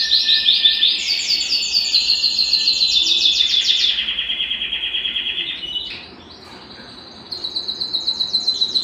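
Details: Belgian canary song used to excite singing and get females into breeding condition; a long, slowly descending rapid trill lasting about five seconds, a short quiet gap, then renewed quick high trilling.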